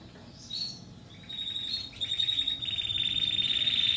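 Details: Timbrado canary from Athens, Greece, 2010, recorded in selection before training: a soft start, then a steady high rolling trill building in loudness, with a faint continuous hum beneath.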